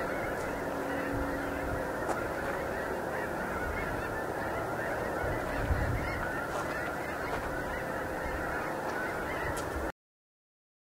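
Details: Snow geese flying in for the night, countless overlapping honks forming a thick, steady roar with scattered sharper calls on top and a low hum throughout, ending abruptly in silence.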